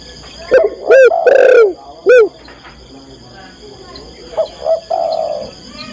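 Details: Female spotted dove calling to a male, giving a series of hoarse, arched coo notes. One longer drawn-out coo sits in the middle, and quieter coos follow later.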